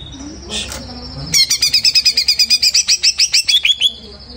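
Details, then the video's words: Greater green leafbird, recently moulted, opening with a brief chirp and then breaking into a run of about eighteen rapid, clear, slightly descending notes lasting two and a half seconds. "Cucak Ijo Pur Total VOER 705 Abis Beres Mabung"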